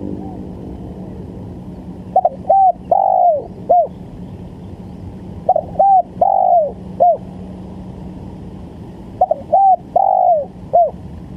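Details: Spotted dove calling as a trapping lure. Three mellow coo phrases come about every three seconds, each a brief double note, a clear coo, a longer sagging coo and a clipped final coo, with a faint low drone behind.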